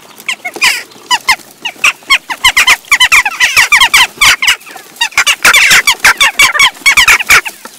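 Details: Western jackdaws crowding a feeder in Recke, Germany, in mid-June, with their young after breeding and not always peaceful; rapid harsh chak calls from several birds, at first scattered, then thickening into near-continuous bickering.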